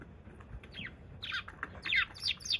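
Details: Wild sparrow visiting on 28 February: quick bursts of bright, slurred chirps, several overlapping in the second half, against a quiet background.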